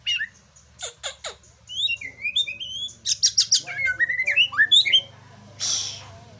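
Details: White-rumped shama (Murai Aceh) singing while showing off: sharp vertical chips, then a run of varied rising and falling whistles, a burst of rapid clicking notes and slurred phrases, ending in a brief noisy rush; steady low hum underneath.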